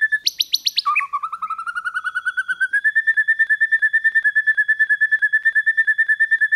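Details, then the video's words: White-rumped shama singing in the 'kéo thuốc lào' and 'hót giọng dây' styles: a few bright high whistles, then a long run of identical clear whistled notes, about three per second, steady in pitch and very even. "Luyện chòe lửa hót hay mỗi ngày ❣ kéo thuốc lào ❣ hót giọng dây"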